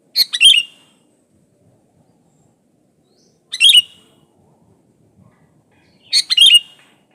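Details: A sooty-headed bulbul sings vigorously in this pure recording made as a lure to make other bulbuls sing: three short gurgling phrases of rapid liquid notes, spaced roughly three seconds apart, against a quiet background.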